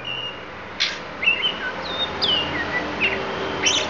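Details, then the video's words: Isian fill-in song from a Lampung oriental magpie-robin: a sharp burst, then sweet whistled notes sliding up and down, some drawn out and falling, with a few crisp chirps closing the phrase over light background noise. "Kacer Lampung Keluarkan Isian"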